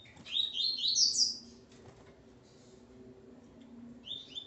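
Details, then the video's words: A male Double-collared Seedeater sings one fast, high twittering phrase of rising chirps in the presence of his female, then falls silent except for a faint low hum and the start of another phrase. "Coleiro Ponto 50 e sua Fêmea Calibre 40."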